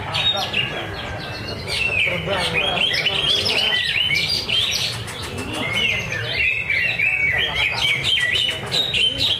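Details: Competing at a practice bird singing contest at Danau Bumi Restu lake in Cikunir, a greater green leafbird sings a rapid, continuous jumble of high chirps, trills and bright slurred whistles, with crowd chatter underneath.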